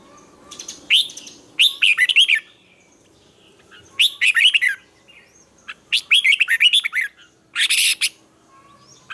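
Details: Red-whiskered bulbul morning training song with strained, twisting double notes. Four lively bursts of warbled, up-and-down whistles each last under a second, set apart by clear pauses.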